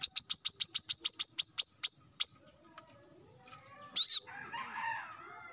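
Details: A male plain-throated sunbird calls rivals in the morning with a fast, even run of about a dozen piercing high chirps, then one ringing arched note over a faint lower background sound.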